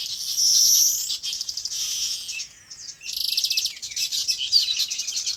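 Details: Many birds chirping on a farm in natural habitat: dense, overlapping high twitters and rapid trills, louder in the first second, with a brief lull near the middle before busy chirping resumes.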